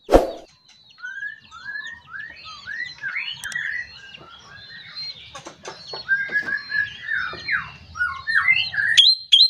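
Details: Morning song of an Ashy drongo, used to set other birds singing: a long run of short upslurred whistles, quickening toward the end amid high twittering and scattered clicks.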